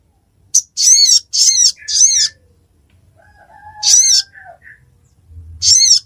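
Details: Ruby-cheeked sunbird recorded at Busu Reului, Mutiara, Pidie, Aceh: three quick, very high, buzzy chevron-shaped notes in a row, a pause, then two more. A fainter, lower whistled line runs underneath the gap.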